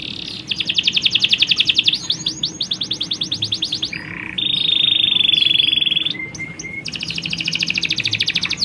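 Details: Canary colony of males and females, females calling to males, recorded to stimulate breeding condition; rapid rolling trills, a sustained high flat whistle, short low notes, then a fast trill again.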